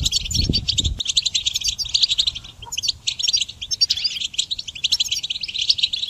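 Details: Goldfinch song played for training songbirds: a dense, rapid twittering of high bright notes and short buzzy trills running almost without pause, with a dull low thump in the first second.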